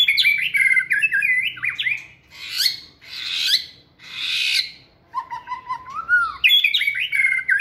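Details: White-rumped shama kept in a flight cage, singing vigorously while being trained; rich varied song mixing fast warbled whistles, harsh noisy bursts, and a low rising fluted phrase, delivered loudly and continuously.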